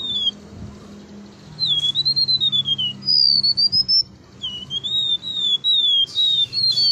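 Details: Golden-bellied gerygone, singing persistently: pure whistled phrases that wobble and dip in pitch, some rising, some falling, separated by short pauses, above a constant low hum.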